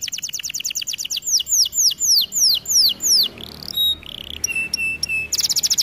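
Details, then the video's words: Canary singing in a training recording, opening with a fast ringing trill, moving into loud slurred downward whistles, then flat sustained whistle notes and a final rapid trill. "Melodies Canary bird song | Training video"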